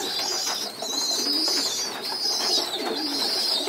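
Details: Indoors, pigeon youngsters on the floor at group feeding utter high wavering squeaks in bursts about a second long, almost without pause, with quiet low murmurs between.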